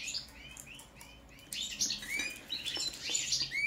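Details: European goldfinch, subspecies balcanica, song check: a series of repeated short, upslurred chirps, then a livelier burst of jangling twitters and buzzy trills with light clicks.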